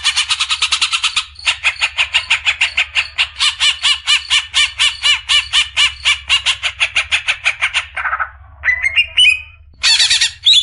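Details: Greater green leafbird, a caged-bird training recording of its rapid-fire besetan song style: a long run of loud, harsh, evenly pulsed notes at about two per second, then brief rising sweeps and a final burst of bright chatter.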